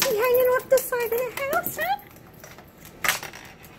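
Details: A baby umbrella cockatoo on a living-room window sill, overexcited at seeing a familiar human at the window, gives a quick run of tonal, voice-like cries, some level and some sweeping upward, over two seconds, then a brief clatter while hopping.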